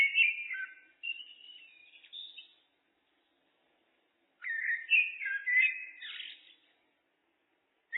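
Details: Turdus merula giving two bursts of song about two seconds apart, each a warbled, fluty run that rises into a higher, scratchy trill, with clean silence between.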